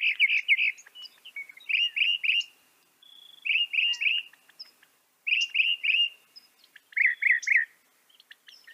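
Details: Northern mockingbird (Mimus polyglottos) singing clear, bright phrases: short bursts of three or four rapid, slurred notes, each burst repeated after a brief pause, with a few thin high chips in between.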